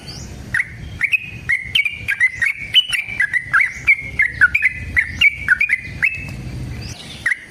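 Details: Long fighting song of a caged sooty-headed bulbul, used to draw other bulbuls into singing; a steady chain of clear whistled notes, each opening with a quick rising flick, packed closely, with faint low hum beneath.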